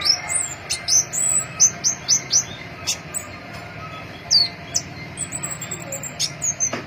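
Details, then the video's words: Crimson-breasted flowerpecker (pentis pelangi), a flowerpecker seen feeding in cherry trees: thin, high, sharply down-slurred notes in quick series, then a brief pause and a thin warbled phrase, over a low steady background hum. "Burung Kemade Pentis Pelangi Trotol Gacor"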